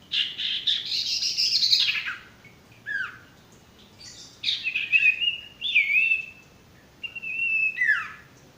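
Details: Varied song of a male sirtu used as a masteran for newly caught or stressed birds: a rough buzzy phrase, then separated bright whistles that slur downward or twist, about four phrases in all.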